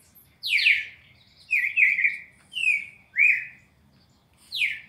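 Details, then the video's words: Classic 4-note song of a red-crested cardinal for training caged birds: a steep downslurred opener, two rolling slurred notes, a short rising-falling whistle, then another steep falling note. "CARDEAL SEQUÊNCIA MÁQUINA DE CANTO 4 NOTAS CLÁSSICO"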